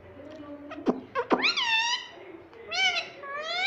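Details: Talking pet parrot, said to say "mummy papa": a few sharp clicks, then two long voice-like tonal utterances, each swooping up and then sliding gently down, with a quiet indoor background.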